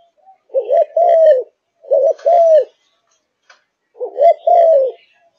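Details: Malaysian spotted dove in fiery singing condition, a kept bird, delivers three separate phrases of soft low coos, each a wavering double note joined to a longer falling coo, with quiet gaps between.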